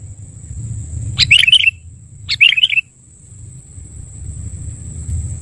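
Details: Sooty-headed bulbul lure call used for trapping birds: two short bubbly, warbling phrases about a second apart, with a steady thin high whine and a soft low rumble underneath.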